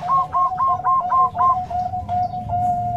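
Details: Zebra dove of the Bangkok type, a soft-voiced female calling a male in nutut style: a quick run of short, mellow cooing notes that slides into a long, steady hum, with low background rumble.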